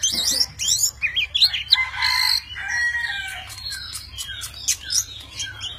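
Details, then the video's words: Tame Oriental magpie-robin singing in many voices while dancing, wings and tail spread; rapid varied phrases of sweet whistles, upslurred notes and scratchy twitters in quick succession, some short sharp clicks between them. "Chim chích chòe than thuần, hót múa cực hay"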